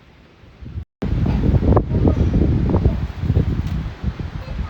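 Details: Muffled speech and rustling handling noise with some wind, after a brief dropout; no animal call stands out.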